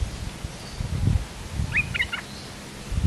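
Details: Streak-eared bulbul, a big resident territory holder, calling in response to a lure: one short burst of sharp chattering notes near the middle, over low rumbling background noise.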